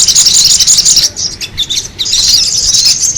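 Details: Noisy sogon bird chattering for a lure, bursts of shrill twittered notes separated by a short softer gap midway, then resuming just as fast.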